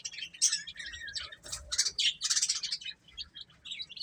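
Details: Young chickens while eating, chattering high chirps in bursts with short pauses, scattered clicking and scratching sounds between the peeps.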